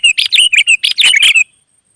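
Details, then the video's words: Wild sooty-headed bulbul singing a fast, lively string of bright chirped and warbled notes, about nine in quick succession over a second and a half, then silence. "suara burung gacor kutilang liar auto nyaut"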